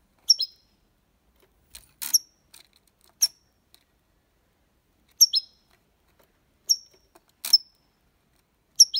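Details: European goldfinch in the Málaga copy song style, used to encourage young birds to sing: brief high, down-slurred twitter notes repeated irregularly, mixed with dry clicking sounds.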